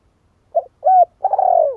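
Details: Low mellow cooing from a spotted dove: a brief hoot, a steady drawn-out coo, then a long tremulous rolling note that slides downward. Nothing else is heard.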